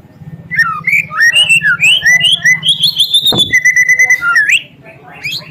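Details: White-rumped shama in a caged-bird training recording meant to provoke rival birds into anger: loud, rich whistled phrases sliding up and down, varied notes running nearly continuously for about four seconds, over a low steady hum.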